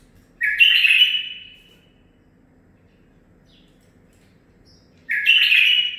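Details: Two rich warbled song phrases about four and a half seconds apart from a captive-bred nine-month-old male bulbul, each a quick bright burst tapering off, quiet between.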